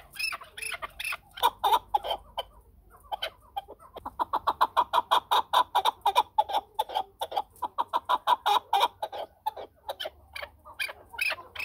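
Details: Chukar partridge producing repeated bouts of quick, throaty chucking, broken by a short lull before a long, even series resumes.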